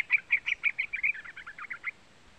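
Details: Chattering call of a young yellow-vented bulbul (trucukan), played to rouse other birds into song: a quick series of about twelve bright, buzzy chips lasting under two seconds, then silence.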